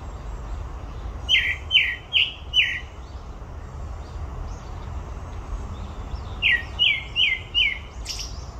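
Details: Grey-backed thrush singing at Olympic Park: four sharp, falling whistles, then a silent stretch. A second set of four similar whistles follows, ending in a brief high squeal, with low rumbling background noise.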